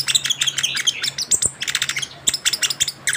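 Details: Young orange-headed thrush after its moult, pouring out a dense, fast warble of overlapping high chirps and trills with barely a pause, a low hum running underneath.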